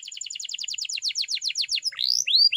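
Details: Canary in a training song: rapid series of repeated chirping notes rolling evenly, then two long rising slurred whistles.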